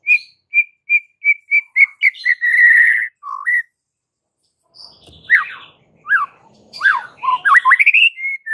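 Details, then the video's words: White-rumped shama (murai batu) training song: a row of short, evenly spaced whistled pips speeding into a warble, a pause, then rapid sharp upward-swept notes and chirps. "Jangan Kaget jika Murai Batu anda langsung NGAMUK - NGAMUK & MUNTAHIN ISIAN dengar MASTERAN ini"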